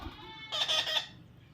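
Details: Baby parrot being hand-tamed lets out a single harsh, grating squawk lasting about half a second, after a person's coaxing words.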